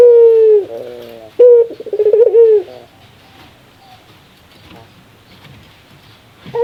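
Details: Barbary dove's laughing call, rare: a held hum, then a sharp note and a quick wavering run of coos in the first three seconds. Near-silence with faint rustling follows.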